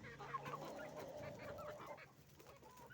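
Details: Chicken farm with roosters and hens making noise: a dense mix of clucks and a longer wavering squawk over a low hum.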